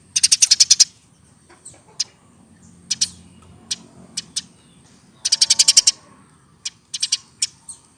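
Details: A hand-raised Eurasian tree sparrow, aged over one year, sings two fast bursts of about eight high chips, with loose single and paired chips scattered between them over a faint low hum.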